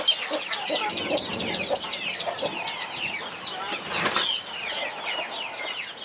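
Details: Mother hen protecting a brood of 21 baby chicks; many high, sliding chick peeps overlap continuously, with soft low clucks and a short burst of flapping wings near the end.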